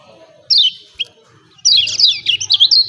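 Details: A lemon-bellied white-eye's "ciak ciak" call, used to provoke birds to sing. One high slurred chirp and a tiny click are followed by a quick, tumbling series of shrill, down-sweeping notes with a faint low hum beneath.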